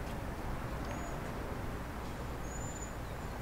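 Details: Cedar waxwings at sunset on a warm spring day, 4 April 2019, amid evening bird activity, give two thin, very high, hissing whistles, one brief and one drawn out, over a steady low rumble of distant traffic.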